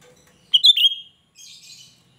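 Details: Cucak rante, described as gacor and suited for luring other cucak rante; a loud, piercing, downslurred phrase of two or three sharp notes, followed by a quieter scratchy chatter.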